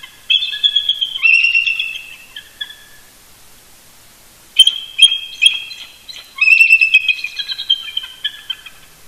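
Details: Two eagles communicating early morning near their nest at Big Bear Lake, California, November 2018: bursts of rapid, squeaky chittering chortles, a pause of about two seconds, then two more excited chattering runs.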